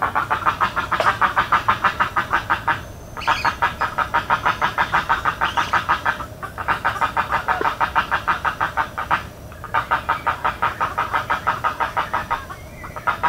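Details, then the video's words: In Everglades National Park, a spoonbill keeps up extended rapid rasping pulse series, pausing every few seconds before resuming at the same brisk rhythm. "Spoonbill Sounds in Everglades National Park"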